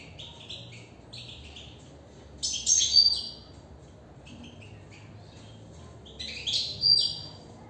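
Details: Caged European goldfinch singing: bursts of fast, bright twittering and chirps, with loud, dense phrases around three seconds and again near seven seconds, and quieter scattered notes between.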